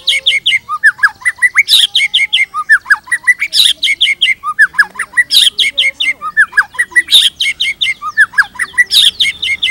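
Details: Lively white-rumped shama song meant to spur other shamas to sing: bright, rising whistled notes and sharp high chips in a phrase repeated about every two seconds, loud and clear with little background.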